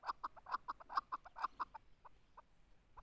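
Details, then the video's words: Chukar partridge giving rapid clucking chuk notes in a tight run that slows and thins into a few spaced, quieter notes toward the end. "chakor voice"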